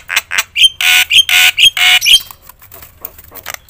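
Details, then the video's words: Loud singing Javan myna, kept to rouse other mynas into song: a string of coarse, drawn-out squawking blasts broken by brief clear whistles, fading into softer scattered clicks. "suara KERAS jalak kebo gacor full isian bikin semua burung jalak emosi gacor"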